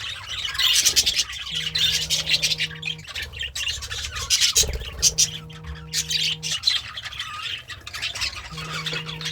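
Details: Pet budgie, happy while eating greens, keeps up a steady scratchy chatter of chirps and squawky warbles, while a low electrical-sounding hum switches on and off in the background several times.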